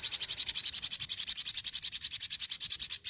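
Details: Crimson sunbird (sogon) in energetic form, Indonesia: a continuous rapid trill of high, sharp notes, roughly seven per second, steady and unbroken for three seconds.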